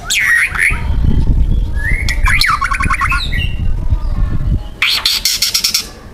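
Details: Wild young white-rumped shama from the forest giving a loud, dense 'tembakan' burst of harsh material: slurred whistled notes and quick chattering phrases, then a rapid harsh rattling volley near the end, over a steady low rumbling background noise.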